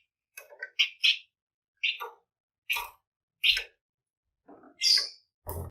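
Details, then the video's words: Flamboyan bird singing steadily with dense bursts, a recording used as a lure to get other birds singing: a rapid run of harsh, scratchy chattering notes, roughly two each second, ending in a rasping burst. "Pancingan Burung Flamboyan Gacor Ngebren Rapat"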